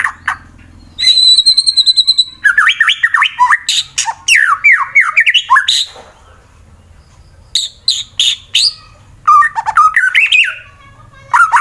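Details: Caged fighter-type white-rumped shama from Wonosobo, Central Java, Indonesia, singing a loud varied song used to provoke rival birds: a pure high tone repeated in a rapid series, then fast rising and falling slurred notes, sharp buzzy bursts and chattering phrases.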